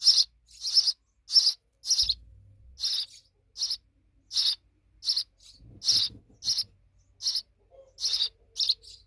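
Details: Young sparrows, babies now grown big, give loud, sharp chirps repeated about once a second in an uneven series, with a few low thumps in the background.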